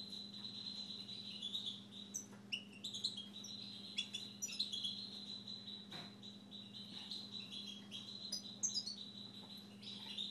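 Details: Kept Siberian goldfinch in sustained song: a fast, continuous twittering of high sweet notes and tinkling trills, steadily delivered for the whole stretch, with a faint low indoor hum.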